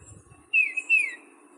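Tufted Titmouse singing two clear whistled notes, each slurring downward, a quick 'peter' phrase, with faint low rumble in the background.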